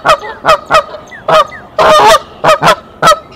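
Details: A mother goose at her nest at Decorah sounds the alarm on 27 March 2023, giving loud, harsh honks in an irregular series, some doubled and drawn out into a brassy clamor, as the gander comes to the nest.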